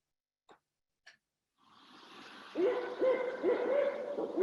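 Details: Barred Owl in Vermont giving its classic "who cooks for you" call: a run of low, rich hoots, about two a second, with slurred endings over a steady hiss, preceded by two soft clicks.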